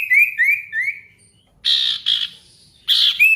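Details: Ashy tailorbird lure song, meant to make silent birds sing and answer a rival: three rising whistled notes in quick succession, a pause, then loud harsh buzzy bursts, the last ending in a short whistle.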